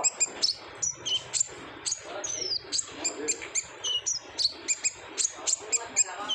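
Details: High, piercing twitters and quick downslurred whistles from an olive-backed sunbird, a lure recording in 'gacor ngobra' style for prompting untrained birds to sing, delivered in steady rapid bursts.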